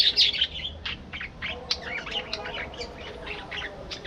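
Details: Budgerigars in a colony aviary chattering: dense, rapid squawky chirps and warbles clustered high, overlapping continuously with scratchy trills throughout.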